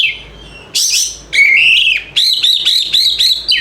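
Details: White-rumped shama lure song to trigger a quiet bird into song: a buzzy high burst, a long steady whistle, then a rhythmic series of ringing arched notes repeated several times per second.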